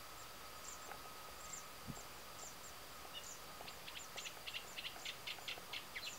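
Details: Eurasian reed warbler singing in late spring breeding season in the reedbeds of Tancat de Milia, Sollana, l'Albufera, Spain: a quiet, chattering run of short scratchy notes growing busier and faster, over a steady hum.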